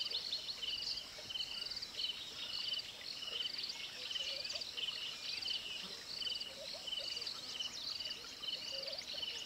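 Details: A Wood Sandpiper in Kruger National Park, South Africa, gives sharp, high whistled notes in quick clipped groups, repeated steadily, with other faint high chirps and a soft background hiss.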